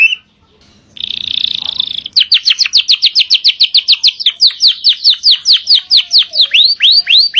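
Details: Gacor canary in long-breath song with rapid-fire fill: a short buzzy trill, then a long run of crisp down-slurred whistles repeated about three to four times a second.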